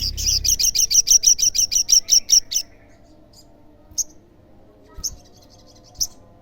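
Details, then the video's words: Olive-backed sunbird song used to make other sunbirds answer: a quick, even trill of about thirteen high piercing notes over two and a half seconds, followed by a few isolated high chirps. "SEMUA SOGON PASTI NYAUT PASTI GACOR DENGAR SUARA SOGON GACOR INI"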